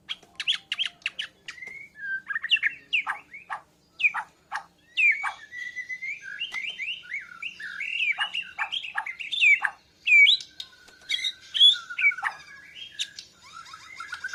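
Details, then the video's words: White-rumped shama from Borneo learning to sing persistently, responding to a lure recording with breast feathers fluffed; loud varied song of clear whistles, rapid chattering bursts and sharp clicks, with brief pauses between phrases. "Murai Borneo Belajar Gacoorrr, Nyaut pancingan..jousss"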